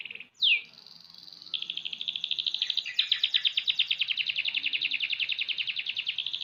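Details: A young canary, six months old, opens with a sharp swooping note, then runs into long, fast rolling trills that step up in pitch and keep pulsing steadily for several seconds.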